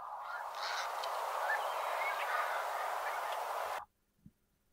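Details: American crows, year-round backyard birds that stay through winter, give harsh, raspy caws that overlap in a dense, steady clamor, about three a second, in spring before the sound cuts off abruptly.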